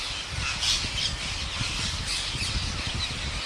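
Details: Huge flock of wild parrots in India gathering as a farmer feeds them, a dense overlapping chorus of harsh high squawks and shrieks with steady low rumbling noise beneath.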